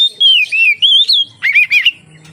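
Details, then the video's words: Oriental magpie-robin (kacer) lure song: a short sequence of loud slurred whistles rising and falling, followed by a few rapid scratchy notes, with a faint low hum at the end. "suara burung kacer untuk penarik / pancingan kacer gacor santai"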